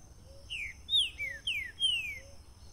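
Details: Green-winged saltator (Saltator similis) singing loud, clear whistles that slide downward, about five phrases in under three seconds, over a faint steady high-pitched hum.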